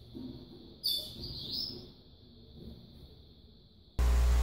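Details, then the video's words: A female Yellow-bellied Seedeater feeds her chick, which gives a brief burst of high, thin, squeaky begging notes over a steady high hiss, followed by a sudden swell of music. "Fêmea Baiana Tratando seu Filhote"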